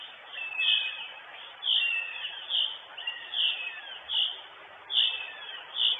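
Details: Northern goshawk mother in the nest, Estonia, recorded by live nest camera on 23 June 2022; loud high cries follow one another almost every second, some drawn into short trailing wails, over low hiss.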